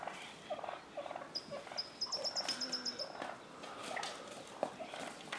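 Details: Male wild turkeys squaring off in a front yard in Willits, California. Quick choppy purring clucks, then a high, thin, evenly pulsed trill from another bird lasting over a second, and scattered clucks afterward.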